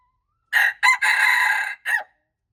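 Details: A red junglefowl crow from March 2, 2025, in four parts: two quick harsh syllables, a drawn-out steady middle note, and a short dropping tail. Nothing else is heard around it.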